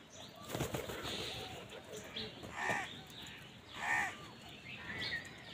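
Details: Crows fighting with wild birds for food, giving two rough, drawn-out caws about a second apart, with scattered chirping from other birds and steady outdoor background noise.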